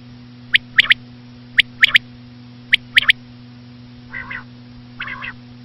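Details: Three rhythmic three-note phrases from a common quail, sharp and high, spaced about a second apart, followed by two lower buzzy nasal bursts, over a constant low hum.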